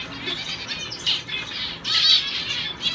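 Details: Male owl finch training for shows in a show cage; short burst of high, thin, nasal buzzing notes with two louder squeaky accents, steady faint background hiss.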